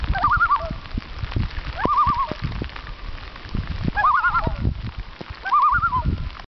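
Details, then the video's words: A loon gives four quavering, warbling phrases at mid pitch, each about half a second long and spaced every one to two seconds, over low rumbling thumps. "loon songs"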